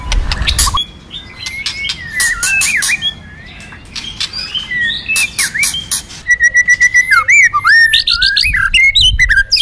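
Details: Varied white-rumped shama song from a training session featuring female singing to excite males: bursts of harsh chatter alternate with clear slurred whistles, then a steady run of quick repeated notes.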